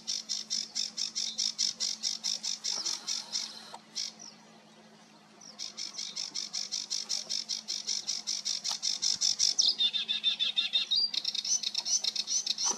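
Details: A sedge warbler sings on 28 June 2022: long bouts of grating, rapidly repeated buzzy notes, a short silence, then renewed chatter ending with a quick trill and sweeping whistled phrases; faint steady hum below.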